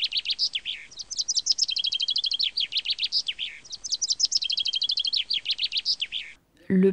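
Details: A common chaffinch (Fringilla coelebs) sings two bright, rattling phrases of about three seconds each, dropping in pitch and ending in a flourish; a voice briefly begins speaking at the end.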